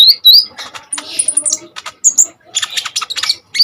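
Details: Common iora in full, vigorous song, used as a tutor recording for training other cage birds: loud, rapid, chattering high chirps, squeaky slurred whistles and harsh squawks tumbling together with only brief pauses.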